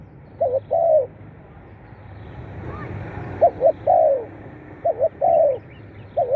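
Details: Cooing of a spotted dove, meant to stimulate captive birds: three phrases of paired short hoots and a longer sliding coo, after a brief quiet gap, with a fourth phrase starting at the end.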